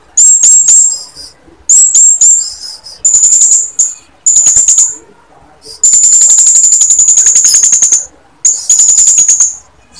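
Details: A calling female blue-crowned hanging parrot urges males to start singing. Shrill, high rattling trills come in repeated bursts, some short and clipped, one held for about two seconds, with brief silences between.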